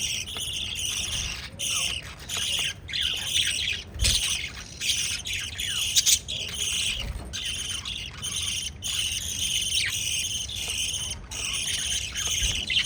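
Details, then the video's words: A lively flock of pet lovebirds, shown feeding chicks, chirps and squawks nonstop in high, scratchy bursts, with occasional clicks and faint low knocks. "LOVE BIRDS CHIRPING sounds"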